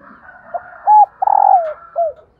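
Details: Female spotted dove call, played to push reluctant caged males and decoy birds into cooing. A short soft coo, a rounded hooted note, a longer falling coo, then one more brief coo. A faint steady tone runs underneath.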